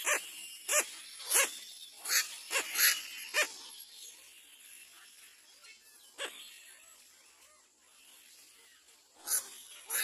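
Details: Little black cormorant calling its chick to get up: harsh, short, rasping croaks in a quick irregular series, about seven in the first three and a half seconds, then a lull with one call before a final pair near the end.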